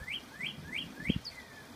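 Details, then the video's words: Northern cardinal singing behind a deck: a series of four clear rising slurred whistles, evenly spaced about three per second, ending in a downward note, with a low thump and faint background noise. "Singing Cardinal"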